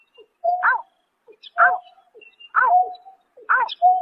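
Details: Greater painted-snipe recorded at night in March 2024, giving downward-sweeping harmonic notes, each trailed by a sustained even whistle, spaced about a second apart against silence.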